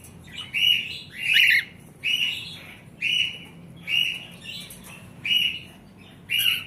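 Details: Several cockatiels give a series of short, ringing, slightly harsh chirps at a fairly even pace, about one every second. One louder, scratchier squawk comes early. The background is quiet.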